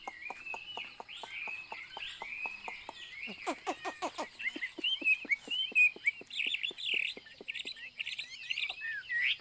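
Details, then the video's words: Chinese hwamei singing continuous, warbled whistles that swoop and twist, while a regular ticking sound keeps a steady beat behind the song. "burung hwamei/wambi Joss suaranya"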